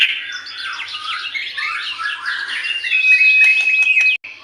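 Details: White-rumped shama song meant to prompt other birds to sing: a quick tumble of short whistled and chirping notes, closing with a long flat high whistle.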